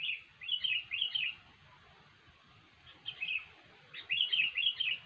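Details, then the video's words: Sooty-headed bulbul singing in gacor, cengkram style, used as a lure for bird trapping: short bubbly warbled phrases in three bursts separated by pauses, over a low background rumble. "SUARA BURUNG KUTILANG GACOR YANG SANGAT COCOK UNTUK MEMANCING PIKAT"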